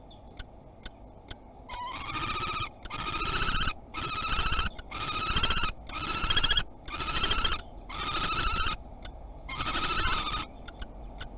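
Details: Common kestrel visiting its nest box in Théding, France, on 30 March 2021, the first visit of the season: repeated drawn-out, quavering whine calls, each about a second long, preceded by a few sharp clicks.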